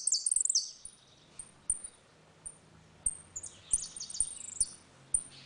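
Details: Saffron finch with the ringing 'retinido' song in a dispute, used to teach young birds: a short burst of high falling notes, spaced chips, then another brief high phrase.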